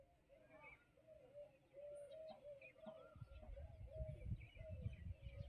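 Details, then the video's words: Female Indian peafowl (peahen) making loud natural calls: a steady run of short, mid-pitched honking notes, several each second, over low rumbling noise, with faint chirps from other birds. "Peahen female making loud sounds natural"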